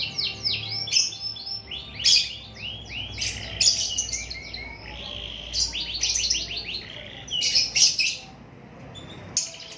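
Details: Canary singing in fast repeated trills, bright whistled notes stacked into rapid rolling phrases, with sharper accented bursts about every one and a half seconds.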